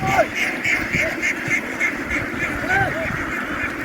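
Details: Ducks from a farm flock scramble ashore and onto a ship, giving rapid short quacks repeated about three times a second over a thick buzzing background of many birds, like a swarm of bees.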